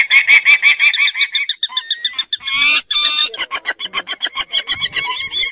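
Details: Peregrine falcon uttering a quick chattering series of harsh, clipped notes. A loud noisy scraping burst occurs in the middle, and the rapid notes continue afterward.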